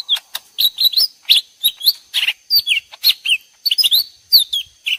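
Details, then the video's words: Lesser green leafbirds, two birds answering each other as if fighting, mixed into a lure recording for bird trapping: rapid, high chirps and whistled slurred notes, dense and overlapping, in quick bursts. "suara jitu pikat ijo mini"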